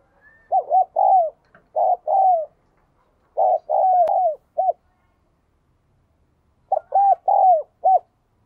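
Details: Low, mellow cooing of a spotted dove with the 'đồng kim' voice style, used to prompt newly caught birds to coo: three phrases of quick rounded notes, each ending in a drawn-out falling coo, with pauses between.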